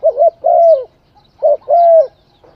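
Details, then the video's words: Two spotted dove phrases, each a quick coo then a sustained, gently falling coo, clear and close with little background sound. "Tiếng chim cu gáy hay"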